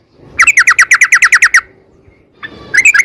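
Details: Sooty-headed bulbul, long rapid-fire song used as a lure for other bulbuls: a burst of about a dozen quick downslurred notes, a pause, then a new burst beginning.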